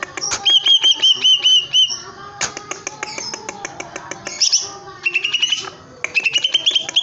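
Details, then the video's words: Greater green leafbird singing hard in its cage: a row of looping whistled notes, scratchy clicking chatter, then fast high trills and rising whistled runs toward the end. "Burung cucak ijo gebrak kandang gacor"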